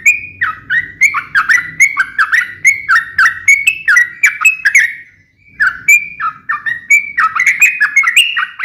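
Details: Sooty-headed bulbul sharp fighting song aimed at provoking other bulbuls to reply: rapid rising and falling chirped notes, a brief pause near the middle, then the pattern resumes, with a faint low rumble beneath.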